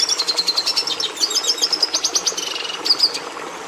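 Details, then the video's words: Song of a red siskin, Carduelis cucullata: a steady stream of rapid high chirps and thin trilled phrases, notes pulsing several times a second, ending in a brief buzzy flourish. "Canto do Tarim da Venezuela"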